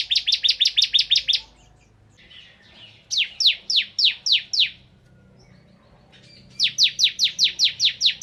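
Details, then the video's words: Bar-winged prinia, ciblek kristal, in lively gacor nembak ngebren song. Three bursts of quick, high, metallic chip notes, eight to nine per burst. Between them are quiet stretches with a faint low hum. "Suara Burung Ciblek Kristal Gacor"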